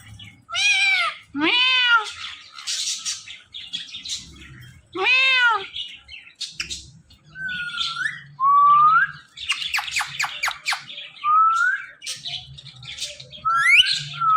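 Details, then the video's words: Pet parrot couple in a lively run of vocal mimicry: arching meow-like cries, rising whistles, harsh squawks and rapid chattering bursts, repeated through about fourteen seconds with short pauses. "BEST "TALKING" "PARROT" COUPLE EVER"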